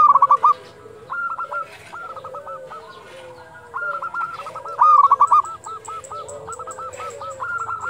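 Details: Local zebra dove calling at dusk: bursts of short, clipped, hooked cooing notes given in quick rattling series, with a second lower, drawn-out cooing voice underneath and a faint high ticking near the end.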